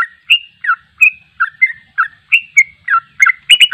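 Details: Sooty-headed bulbul singing in the rapid, continuous ropel style: about a dozen bright chirpy notes and short slurred whistles, some rising and some dipping, delivered quickly and unevenly with no gap in the stream, on a clean, quiet background.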